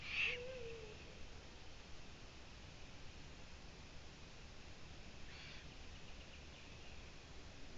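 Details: A Eurasian eagle-owl, recorded 16 June 2017, gives a single short, deep hoot at the start, then only a steady low background hiss and a faint distant sound.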